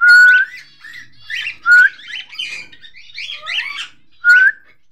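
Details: Cockatiels from a breeding pair: clear rising whistled calls repeated every one to two seconds, mixed with chattering, buzzy squawks and short chirps.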